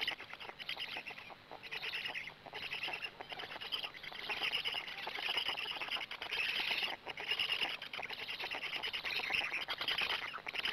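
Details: Gemenc black stork nest, 13 May 2017 at 20:04, adult arriving then feeding; bursts of dense raspy hissing that swell and fade, with short high chirpy notes in the second half.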